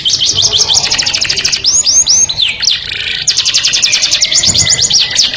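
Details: Canary singing to attract a partner: a fast high trill runs into three or four arching whistled swoops, a short buzzy rasp, then a long even rolling trill to the end.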